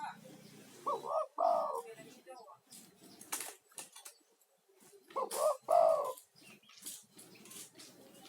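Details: Male spotted dove used as a lure to call in other doves: two hoarse, husky cooing phrases separated by a long gap, surrounded by rustling, clicks and scattered noise.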